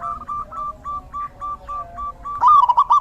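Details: A run of soft, evenly spaced cooing notes from a zebra dove in the rainy season, ending in a louder, quick rolling trill of bubbly coos.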